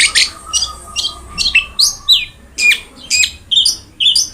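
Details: Long-tailed shrike song, played as a tutor recording for a quiet captive shrike. It gives sharp, downslurred high notes spaced about half a second apart over a faint, steady, low hum.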